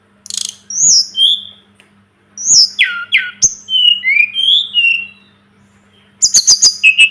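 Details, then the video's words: Sunda robin singing on a tutor recording: high thin notes and downslurred whistles, sharp abrupt chips, a short pause, then a rapid burst of clicking notes. A faint electrical hum is present. "Masteran burung tledekan gunung"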